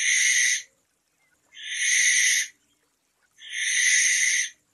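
A barn owl gives three long, harsh, hissing screeches, each under a second, about two seconds apart, in an otherwise quiet night.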